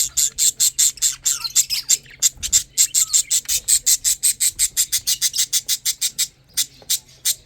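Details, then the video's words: Lovebird chicks eating and drinking: rapid raspy, hissing high-pitched pulses repeated about three or four times a second in a steady chattering train, with a brief break near the middle and fading toward the end. "Lovebirds chicks eating and drinking"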